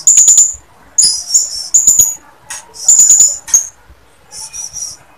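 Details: A female blue-crowned hanging parrot calling to a male gives very high, thin, sibilant notes in quick bursts of rapid chips, repeated about every second with brief pauses.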